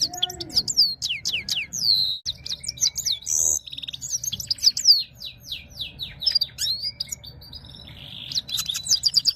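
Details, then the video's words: Saira-style singing from a red-fronted serin imitating goldfinch: a rapid sequence of high downward slurs, jingling notes and a short buzzy burst, with a low hum throughout. "red fronted serin powerful voice of gold finch"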